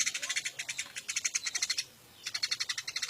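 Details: Eurasian tree sparrow, caught from the wild and kept as a tutor bird, chirping in fast steady series of bright high notes, broken by one brief silence.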